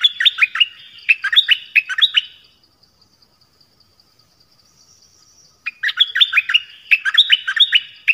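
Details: Malaysian Pied Fantail sings two bursts of quick, down-slurred whistles, about a dozen notes each, separated by a three-second pause with a faint high tone.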